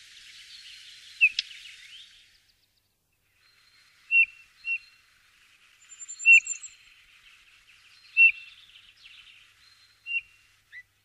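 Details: Eurasian bullfinch uttering brief, soft, downslurred whistled notes, some in quick pairs, roughly every two seconds, with faint high twittering at the start and a short high note from another bird midway.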